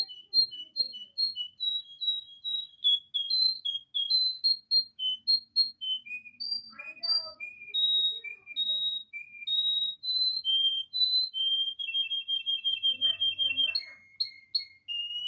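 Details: Canary singing a long varied song: clear whistled notes repeated about once per second, shifting in pitch, with a fast trill near the end, in a quiet indoor setting.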